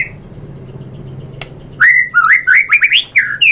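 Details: White-rumped shama in song: after a quiet start with steady low hum, a lively string of clear, slurred whistles rising and dipping in quick succession, with sharp chips between phrases.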